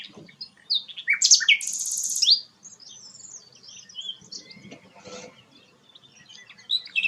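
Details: Rare flycatcher known locally as sikatan londo, singing a varied phrase of sharp high chirps, slurred whistles and a dense buzzy burst, then quieter scattered twitters with faint background hum.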